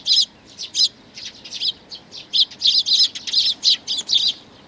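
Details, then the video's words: Sparrows, chicks with their parents, 11 May 2019: loud, close, high chirps in quick succession, bunched into rapid clusters with short pauses, over a quiet background. "可愛いすずめ達 20190511 5（雛鳥親子がやって来た）"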